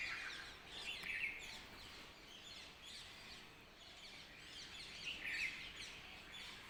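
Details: Birds chirping in the early morning: high, thin bursts, with two stronger phrases about four seconds apart over a steady background hiss.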